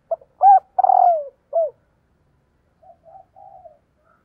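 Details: Calling female spotted dove exciting males: a loud phrase of short note, double coo, long falling coo and short coo, followed by a few soft distant coos.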